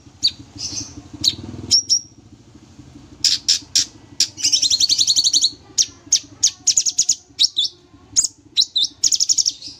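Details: Sooty-headed bulbul in full energetic song, sung as a lively training recording for other birds. High, sharp chirps come first, then rapid buzzy trills and clipped whistled notes fired in quick succession, with a low hum underneath.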